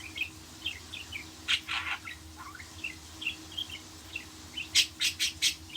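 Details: Budgerigar chatter-song: scattered high chirps with a few rough, buzzy bursts, then a rapid series of four loud, harsh notes near the end.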